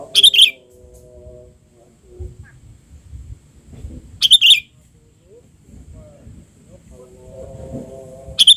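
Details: Albino sooty-headed bulbul, back on a branch for the first time after its moult. Three short, bright, harsh chirp bursts arrive roughly every four seconds, separated by quiet stretches with a low murmur of voices.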